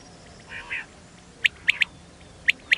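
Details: Female quail calling, a sound used to lure quail during hunting in wheat. A soft muffled note comes first, then crisp, high, clicky chirps, singly and in pairs, against faint background hiss.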